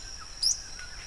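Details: Single quick, high-pitched rising chip from a yellow-browed tody-flycatcher at El Escondite Natural Reserve, Colombia, set against a continuous shrill insect tone.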